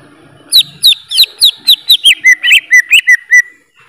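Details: Greater green leafbird song: a steady series of about a dozen loud whistled notes, roughly four per second. Early notes swoop downward, and later ones settle into lower, rounded slurs.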